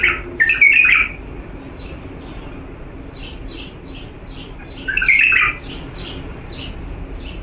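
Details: Bulbul of the Diyala strain singing for chick training: two rich, loud warbling bursts about four seconds apart, linked by a series of quiet, evenly spaced high notes.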